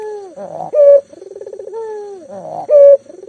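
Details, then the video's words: Local collared dove, a keen caller used as a lure for mute doves, giving two clear phrases: a long falling coo, a buzzy stutter, then a loud pure higher note, over a quiet background. "burung puter lokal gacor"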